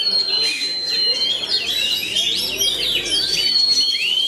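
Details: Kacer matador, a magpie-robin, in performance: a rich run of high whistles with looping, rising and falling slurs and a long steady tone, delivered continuously with no pause.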